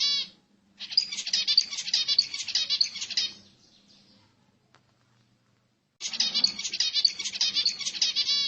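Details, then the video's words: Zebra finch song played to stimulate other birds: dense runs of buzzy, nasal, harmonic-rich notes in two long bursts separated by a silent gap of about three seconds. "صوت طائر الزيبرا لتهيج الطيور"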